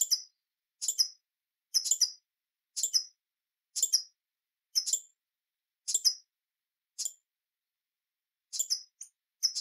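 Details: Hummingbird giving a long series of high, rattling twittered bursts, each a quick cluster of squeaky notes, roughly once a second. The series briefly pauses near the end on a silent background.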